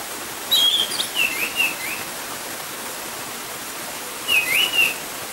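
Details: An orange-headed thrush, heard from a balcony beside a loud gurgling stream, gives two short bursts of high, twisting whistles about four seconds apart over a steady rushing hiss of the stream.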